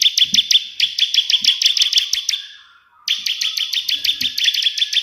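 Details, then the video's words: Bar-winged prinia singing a lively 'tembakan' burst song in the white-prinia style, rapid sharp high chirps stacked in quick runs, a brief pause near the middle, then the fast chirping resumes. "burung ciblek gacor versi tembakan perenjak putih"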